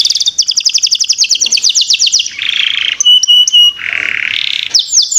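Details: Canary lure song for young birds: long rapid pulsed trill of repeated swept notes, followed by buzzy rattles, clear held whistles and a final burst of swept notes.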